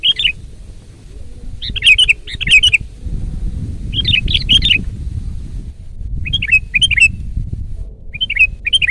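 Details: Loud, energetic sooty-headed bulbul song used for training other birds. Rich, bubbly whistled phrases of three or four quick notes repeat in bursts every one to two seconds over a soft low background hum.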